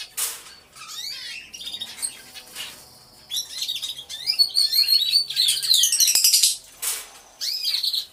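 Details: Aviary of canaries recorded by a hidden camera, all singing: scattered twitters build to a loud dense stretch of rolling trills and high whistles, then fade to a few separate chirps.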